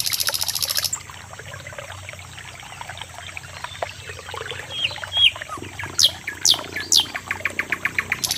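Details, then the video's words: Common nightingale (sikatan londo): a harsh buzzing burst at the start, a quiet stretch, then three descending whistled sweeps and a fast, evenly spaced ticking series. "Suara Burung NIGHTINGALE / SIKATAN LONDO"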